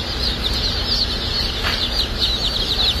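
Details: Many Dark Brahma baby chicks at a hatchery on hatch and shipping day, peeping together in a thick, continuous high chorus with a constant low mechanical hum beneath.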